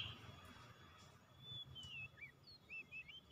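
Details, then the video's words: Oriental magpie-robin (kacer), a bird slow to sing that is stirred into nonstop singing, gives a string of clear slurred whistles that rise and fall, with short upturned notes near the end, over a low background rumble and faint clicks. "KACER MALAS BUNYI TERPANGGIL LANGSUNG TAK HENTI HENTI GACORNYA"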